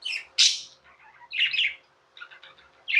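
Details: Pet budgerigars chirping in short, scattered bursts: sharp high squeaks and brief buzzy chatter separated by quiet gaps, over a faint steady hum.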